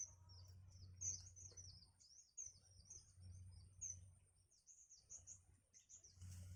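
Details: Young birds in the nest begging while their mother feeds them: thin, high, squeaky chirps in quick uneven runs, with a soft low rumble underneath.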